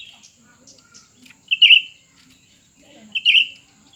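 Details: Cucak ranting pair in a contest, a new bird against an old one; a faint phrase at the start, then two loud rich warbled bursts about 1.6 seconds apart, quiet between.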